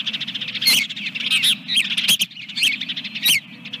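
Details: Osprey calling at the nest with eggs, Dunrovin Ranch, morning of 24 April 2022 after the second egg; a rapid, loud string of high, shrill whistled chirps, roughly one and a half per second, over a constant low background hum.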